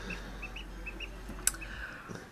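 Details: Hatchling ducklings climbing over each other in an incubator give thin, high peeps in a loose series, with a sharp click midway and a constant low machine hum beneath.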